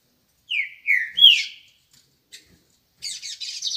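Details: Morning song of a trinca-ferro, the green-winged saltator: three rich whistled notes, each slurring downward, given in quick succession. A brief tick follows, then a burst of rapid, higher buzzy chatter after a pause.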